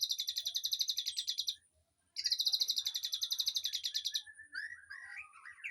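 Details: Aviary birds, used as master song for a white-rumped shama: two long, fast, high churring trills separated by a brief pause, followed by softer varied twittering.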